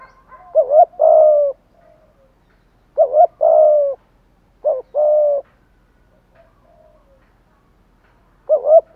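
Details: Spotted dove used as a decoy to lure wild birds, giving an urgent challenge coo: a deep phrase recurring about every two seconds, a quick double note then a long even coo, with faint soft notes in the gaps.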